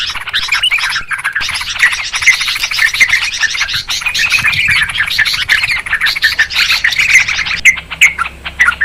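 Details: Trucukan, the Yellow-vented Bulbul, calling noisily as a trapping lure: rapid overlapping chirps and harsh chatter pouring out steadily, with faint high ticking above.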